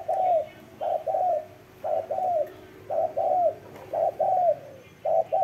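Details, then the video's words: Cooing spotted dove: paired low coos, the second longer and sliding downward, repeated roughly once a second over a quiet hissy background. "CHIM CU GÁY SIÊU GÙ"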